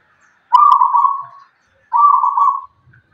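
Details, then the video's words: Local zebra dove from Tuban, a caged bird with a deep voice: two drawn-out purring coos, each roughly a second long with a slight trill, separated by a short pause. "perkutut lokal Tuban suara besar"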